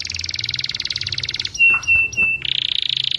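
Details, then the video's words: Local Indonesian canary in song: a rapid pulsing trill for a second and a half, three short level whistled notes, then the fast trill returns. "Suara kicau KENARI yang MERDU"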